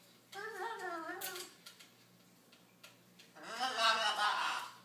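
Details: Dozer, a male pet blue-and-gold macaw, "sings" and talks: two wavering, voice-like phrases, the second louder and harsher, with a few soft clicks between.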